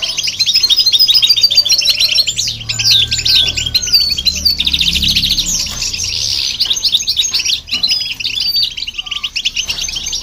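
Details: Goldfinch song used to excite and provoke other birds, with a hybrid goldfinch also present; long run of fast, tinkling twitters and chattering trills, several voices overlapping, a thin whistle near the start.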